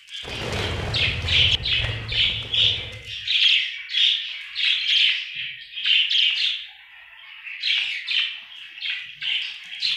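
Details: Cheerful budgerigar chatter: after a low, thumping rustle in the first three seconds, steady bursts of bright, buzzy chirps pulse roughly twice a second, warbling on with a short lull near seven seconds.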